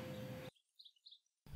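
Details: A European Goldfinch in Sweden gives its call, a quick run of four or five bright, tinkling high notes in under a second, between bursts of low rumbling background noise; its name Stieglitz imitates this call.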